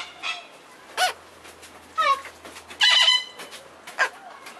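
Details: Princess parrots, a courting pair (male on the left, female on the right), give short, harsh, raspy calls roughly once a second, one with a clearer whistled ring, over a faint low hum; the male had been feeding the female.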